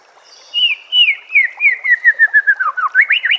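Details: White-rumped shama master song for training caged birds: after a soft start, a fast series of about fifteen looping whistled notes, descending slightly, then jumping higher at the end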